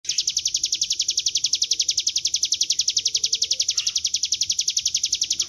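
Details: Bar-winged prinia (ciblek gunung) song in the energetic continuous ngebren style, used as a lure to draw the bird into singing: a rapid, steady run of high, sharp, clipped notes repeated many times each second without pause.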